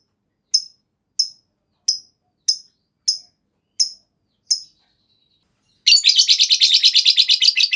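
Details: Lovebird long ngekek trill, a lure recording meant to get other lovebirds singing. Seven sharp, evenly spaced high clicks come first, then a rapid, buzzy chattering trill starts near the end and runs to the close.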